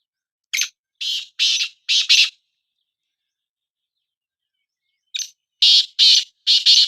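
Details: Black francolin, two birds set against each other in a calling contest: two phrases of four to five harsh, grating broadband notes in quick succession, separated by about three seconds of silence.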